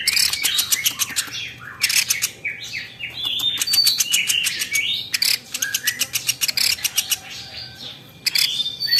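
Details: Velvet-fronted nuthatch, known locally as platuk beras and used as a tutor recording for songbirds: loud, rapid, dry chattering trills in bursts. Short whistled notes, some rising and some falling, weave between and over them.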